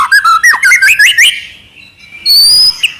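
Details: White-rumped shama trotol gacor song: quick warbled whistles climbing in pitch, a brief hush, then a single high, drawn-out whistle followed by a short chirp.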